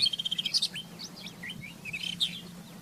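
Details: Wild rufous-tailed scrub robin song: a fast, evenly repeated run of about eight high clipped notes, then a varied series of sweet slurred whistles and chirps, over a constant low background hum.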